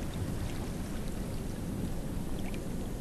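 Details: Dense rumbling wash of a boat moving through water, steady and low-pitched, with no animal voice.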